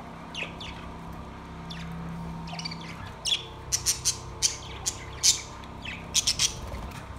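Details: Caged budgerigars recorded on September 2, 2023, chatter in bursts of scratchy, high chirps and squawks, clustered in quick runs in the second half, over a low steady indoor hum.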